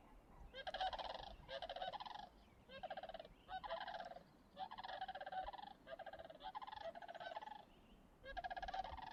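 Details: Whooping cranes in swampy ponds just outside Yellowstone National Park after rain, under cloud: several give loud, rolling, trumpeting calls in overlapping bursts about a second long, repeating steadily over a soft background hiss.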